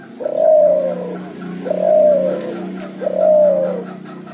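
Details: Three soft, low, slightly falling coos about 1.4 seconds apart from a cuhu hybrid of puter and tekukur doves calling ngoar-nguku, over a constant low hum.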